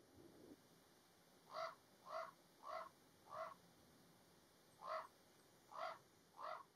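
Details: Common raven parents in Alberta, Canada, in May 2022, upset by a vehicle parked near their nest of nestlings, give seven harsh, hoarse calls: four about half a second apart, a pause, then three more, over a soft background hush.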